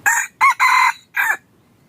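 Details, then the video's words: Wild junglefowl cock crowing as a hunting lure, a rapid four-part phrase of strident notes, the third stretched longest, ending in a short falling syllable against near silence. "ต่อไก่ป่า yos hav zoov dib qaib qus tuaj zoo heev"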